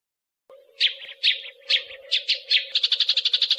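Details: Tree sparrow fighting call as master training material for contest birds: about six harsh, buzzy chirps roughly half a second apart, then a quickening stutter of rapid chirps over a low steady hum.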